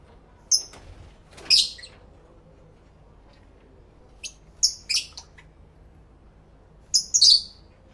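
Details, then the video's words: Pet lovebirds chattering to one another, captured in stereo with two external camera microphones: a few isolated shrill, piercing chirps and short doubled squeaks separated by quiet pauses of a second or more. "1 Hour Lovebird Sounds"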